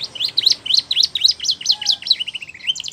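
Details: Canary singing as a training example for young birds. High chirped syllables repeated about four per second in a steady tour, ending in a short rapid trill. A faint low tone sounds in the background.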